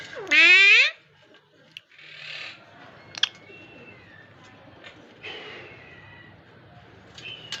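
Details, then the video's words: Word-imitating parrot opens with a loud, rising, harmonic screech, then quieter breathy sounds, short clicks and thin whistled notes over low room hum. "Raw parrot speaking clearly"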